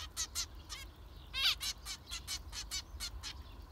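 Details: Zebra finches giving a rapid series of loud, nasal, buzzy beeps, about a dozen in under four seconds, one call louder and harsher than the rest, over a quiet low hum.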